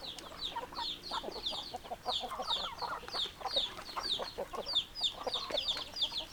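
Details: Many chickens calling together: rapid high-pitched downward chirps several times a second, mixed with choppy mid-pitched clucks, a constant overlapping chatter from the flock.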